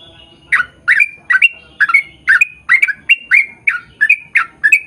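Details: Sooty-headed bulbul singing a long rapid 'ropel' song, used to lure birds of the same kind into singing: a steady series of short bubbly, slurred notes, about two or three each second, with no other clear sounds.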